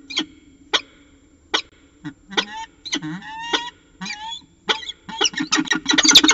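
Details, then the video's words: Evening exchange between a pair of peregrine falcons at the CSU Orange nest, 11 December 2018, 6:45 pm: spaced sharp chips, then drawn-out whining wails with rising and bending tones, ending in a fast, loud harsh chatter. "Peregrine Falcon Xavier And Diamond Evening Conference"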